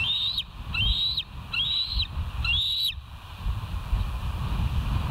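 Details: Bald eagle calling at West End on 27 August 2023 at 07:00, picked up by a live nest camera: four high, thin whistled notes rising and sliding in quick succession over a low rumble of wind.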